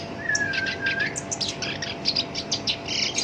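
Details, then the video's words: Black-browed reed warbler, a kept songbird, singing steadily in a rough-voiced style: a long level whistle followed by rapid high chirps and scratchy notes over a constant background hiss. "SINCHAN (KERAK BASI ALIS HITAM) GACOR POL, SUARA KASAR"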